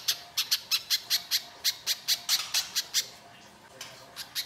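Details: Little spiderhunter lure song, lively and rough, used to prompt other birds to respond: a fast string of about fifteen sharp high chips, then a brief lull with only faint notes before it resumes.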